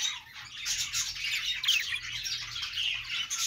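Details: Budgerigar chirping: a short burst of busy, high, twittering chatter with scratchy squeaks and one clearer rising whistle partway through, against a soft low hum.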